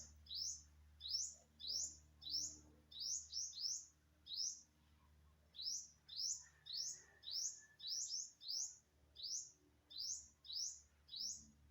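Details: Recorded September 27, 2022, an unknown bird keeps up bright upswept chirps, sometimes paired, with a short pause before resuming; faint low hum throughout.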